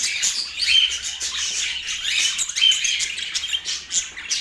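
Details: Budgies in Portland chirping and warbling, quick tweets and raspy notes overlapping in a lively, fluttering stream, with two clear whistled peaks standing out near the start and middle.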